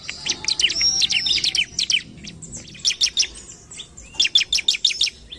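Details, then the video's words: Sumatran leafbird song used to provoke rival birds: rapid, busy strings of high sharp chirps mixed with brief whistled notes, delivered in long fast runs. "CIBLEK GACOR NARUNG CEPAT PANCING EMOSI CIBLEK LAWAN"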